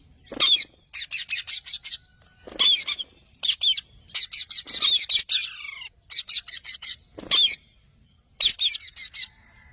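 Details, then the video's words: Parrot chattering in harsh, scratchy bursts, each burst a rapid string of four to five clipped notes, repeated roughly every one to two seconds with short silent gaps between. "Parrot Chirping Sounds / Voices"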